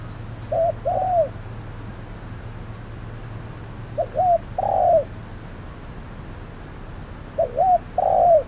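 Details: Decoy spotted dove calling at hot noon while trapping a wary wild dove; three coo phrases about every 3.5 seconds, each a pair of short low notes followed by a longer, louder falling coo, over a steady low hum.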